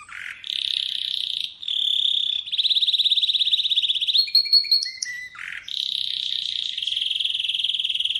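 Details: Atlantic canary sings rapid rolling tours separated by brief pauses and low rising slurs, with a few clear whistled steps midway before the trilling resumes.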